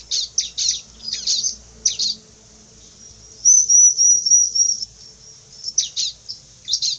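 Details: Bar-winged prinia, described as fierce, mixing a few harsh chirps with a clear, high rippling trill lasting over a second, followed by more scratchy notes.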